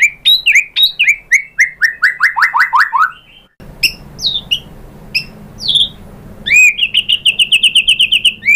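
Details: White-rumped shama lure song meant to provoke a bird into singing: a descending run of rapid slurred notes, a brief noisy pause with scattered chirps, then a fast, even trill of high notes.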